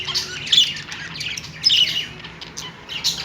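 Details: Happy budgies giving a few loud, harsh squawks and chirps in three separate bursts, quieter chatter between them.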